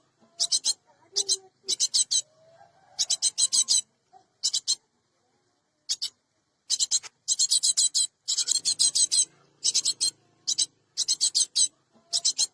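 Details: Cinereous tit sound used as a lure to attract and trap birds: rapid bursts of dry, rasping high notes in clusters of two to six, separated by short silences, with faint low tones in the background.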